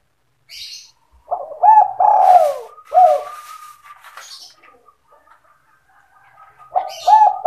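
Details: Spotted dove calling in 'sandung kuk' style, a lure for trapping other doves: a burst of deep hooked coos running into a long descending coo, more short coos, scattered clicks and higher rustling notes, then a fresh coo phrase.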